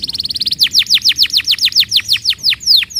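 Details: Canary lure song meant to prompt other canaries to sing. A quick run of short, very high notes leads into a loud series of downslurred whistled notes, about five per second, evenly repeated over a quiet background.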